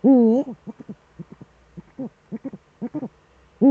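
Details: Eurasian eagle-owls duetting at the nest in the Eifel, 13 December 2013, 17:25, with the male present. A deep wavering hoot opens and another begins at the end, with a run of short, low, clipped notes between.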